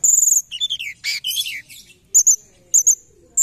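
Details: Forktail used as a trapping lure: a fast high trill, a jumble of descending chirps, then pairs of thin, piercing high notes separated by pauses.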